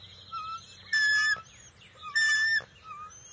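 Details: Juvenile bald eagle at its nest on June 22, 2021, calling noisily to welcome an adult arriving with the first fish of the day: two loud, harsh, harmonic squealing bursts separated by thinner high whistled notes.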